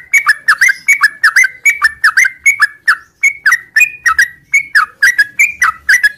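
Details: Morning ngropel song of a sooty-headed bulbul: short whistled phrases, each a quick high note dropping to lower bubbly notes, repeated steadily about three times a second.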